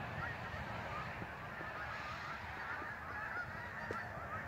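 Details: Geese migrating past Lake Champlain in northern New York call in a thick, constant chorus of nasal honks, a few individual calls standing out above the mass.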